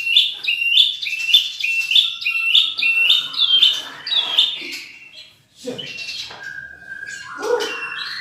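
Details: White-rumped shama (murai batu), a champion with rich mimicked material, repeating short bright rising phrases about twice a second, then a quieter pause, a flat whistle and varied slurred notes.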